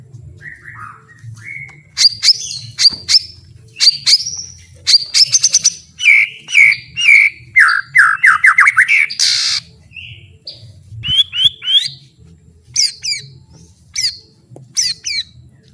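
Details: Varied white-rumped shama song with full 'isian' for training songbirds: sliding whistles, quick stuttered high notes and buzzy descending runs, then widely spaced sharp chips, over a faint low hum.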